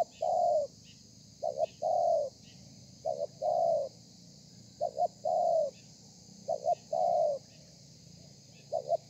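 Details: Spotted dove, wild-caught, delivering a 'thổ pha' style song, recorded 30 November 2020. Five phrases of a brief two-part coo followed by a longer falling coo, repeated steadily, with a faint electrical hum behind.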